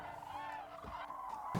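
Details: Migrating Common Cranes in winter on the Allier plain, France, give loud, rolling trumpet calls, a few brassy notes within under two seconds, over faint background noise.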